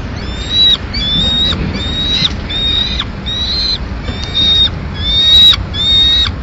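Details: Madrid peregrine falcon young, 19 May 2016, eating a pigeon the female has brought; a regular series of eight thin, whistled wails, each slightly rising at the end, about one per second.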